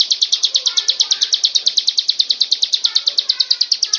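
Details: Bar-winged prinia song used as a master recording for training birds, a rapid metronome-like series of high, bright chirps, around seven or eight each second, evenly repeated for the whole stretch.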